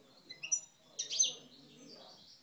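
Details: Short burst from a caged Algerian parva goldfinch singing aggressively: a few clear, high whistled notes followed by a loud, bright, tinkling twitter that fades into a thin trailing note.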